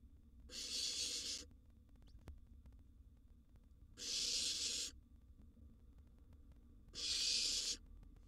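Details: Begging of a wild barn owl nestling inside a nest box at feeding time with a large gerbil: three rasping hiss-screeches of roughly one second, spaced about three seconds apart, steady and noisy.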